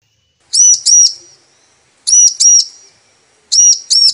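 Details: Female bar-winged prinia calling the male, a lure sound to make males sing: three bursts of paired high, sharp arched notes, each pair well separated by silence. No other sounds.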